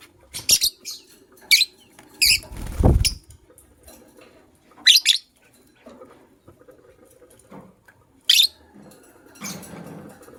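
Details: A matched couple of white lovebirds in the morning gives short, shrill, scratchy chirps in scattered bursts, several in quick pairs, over quiet rustling and one dull thump.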